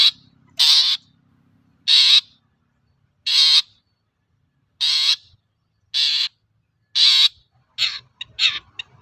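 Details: Harsh grating bursts from a long-tailed shrike, a lure song for other shrikes, come about every 1.3 seconds, seven in a row, ending in quicker chatter.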